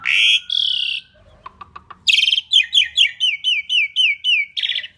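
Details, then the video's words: Asian pied starling lure song: two loud rasping notes, soft clicks, then a harsh burst followed by a steady series of about nine short downslurred whistles. "Kicau Jalak Suren Gacor Paling Nyaring - Durasi Panjang ISIAN FULL ROLL cocok untuk PANCINGAN"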